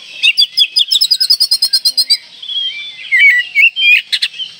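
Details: Oriental magpie-robin in breeding condition, singing to provoke rivals: a fast series of repeated chattering notes, then sweet whistled warbles and sharp accented notes.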